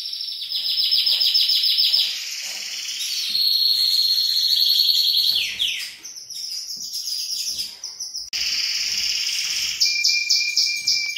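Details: Male canary singing to stimulate a female to mate: loud, rapid, high trills and rattling rolls that shift pitch every second or two, with sustained whistled notes and a short pause before the song resumes.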